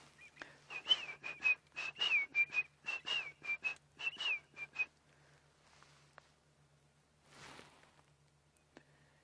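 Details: Shelley's francolin calling at a waterhole at sunset, heard again during a live safari broadcast: a rapid run of about a dozen clear whistled notes with small upward and downward inflections over five seconds, then near-silence with a faint rustle.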